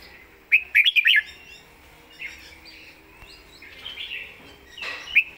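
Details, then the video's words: Red-whiskered bulbul kept in a cage, admired for clear, quick singing; opens with a loud cluster of sharp chirps, then gentler rolling whistled phrases and a final bright note. "สำนวนดี"เดินเพลงชัด ปากไวเสียงชัด#เสียงนกกรงหัวจุก"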